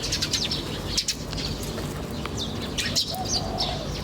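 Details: Wild birds chirping in nature: short, high, sharp chirps and twitters scattered across the clip over a steady low rumbling background.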